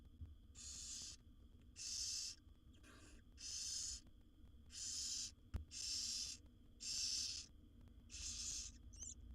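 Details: Seven barn owl owlets beg in a wild nest box during feeding by their mother: eight rhythmic, breathy, rasping hisses, one noticeably fainter, spaced about a second apart.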